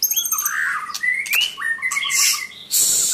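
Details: White-rumped shama singing loud, clear whistled phrases: a rising slurred note, sweeping glides near the middle, then a short broad burst of noise toward the end.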